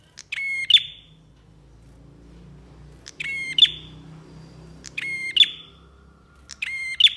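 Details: Bar-winged prinia singing lively for a bird-training recording: four buzzy phrases, each a sharp click, a flat nasal buzz, then a bright high note trailing downward, repeated roughly every two seconds over a faint low hum.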